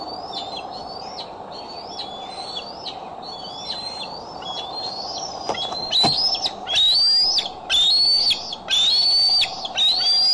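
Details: Decorah bald eagle, camera recording, July 6, 2011: repeated high whistles, each climbing then dropping abruptly, about once a second, growing much louder and longer toward the end.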